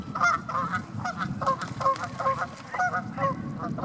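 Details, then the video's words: Canada geese in their natural habitat honk over and over, loud nasal two-note calls overlapping at a quick, uneven pace, with a low rumble of background noise. "canadian geese making sounds"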